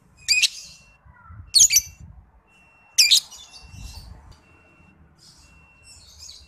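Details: Juvenile lovebird under five months, training lure for other lovebirds: three scratchy shrill chirps over about three seconds, then quieter twittering, with low rumbling noise and a faint steady tone.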